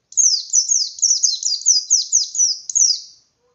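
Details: Energetic white-eye singing full-throated in ngalas style, used as a lure for other white-eyes: one continuous string of about twelve high, bright, downward-slurred notes delivered quickly before a sudden stop.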